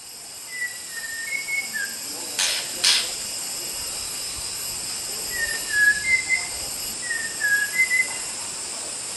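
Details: White-rumped shama song used as a training recording for other songbirds: two groups of clear whistled notes, short slurred phrases with brief upslurs, against a steady high hiss and two sharp clicks.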